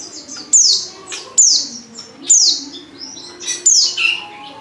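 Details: Female Oriental white-eye lure call meant to set males singing: bright, high downslurred chirps about once a second, the last few with extra lower trailing notes.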